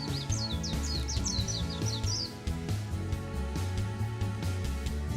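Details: Warbling white-eye (Zosterops japonicus) in the Kyoto area, Japan, April 2025: a quick run of about a dozen high, thin, down-slurred chirps over two seconds, nearly buried under steady background music.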